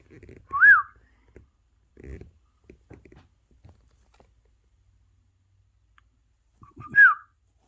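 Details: Pet parrot indoors, near a phone playing parrot videos, gives two clear arched whistles several seconds apart, with soft low murmuring and taps between them.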